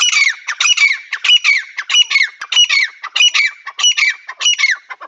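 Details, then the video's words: Partridge giving a steady series of harsh, grating high calls, each burst ending in a downward slur, repeated evenly about every 0.6 seconds for five seconds; no other sounds stand out. "teetar ki awaaz"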